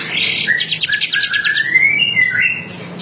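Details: White-rumped shama in full song, played to provoke other shamas into singing back. A rapid buzzy trill runs into long, rising and falling clear whistles, all at a high pitch.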